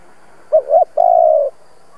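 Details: Decoy spotted dove, used to stir other doves into cooing, utters two short soft notes followed by one long, steady, mellow coo, then silence.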